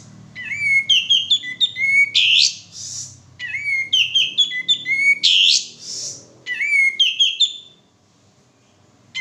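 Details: Male sooty-headed bulbul singing on a lure recording: three repeated phrases of quick whistled, warbling notes each closing with a harsh buzzy burst, about twenty per minute, then silence at the end.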